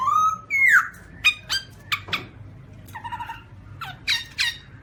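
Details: Garrulax chinensis, the black-throated laughingthrush, filmed in 2017: two pure whistles, the second higher and fuller, then scattered sharp clicks and squawks and a short nasal note.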